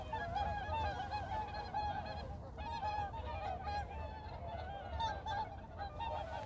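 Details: Several whooper swans at Baedalji reservoir call in a continuous overlapping chorus of loud, bugling honks, trumpeting at once over a low rumble of wind or water.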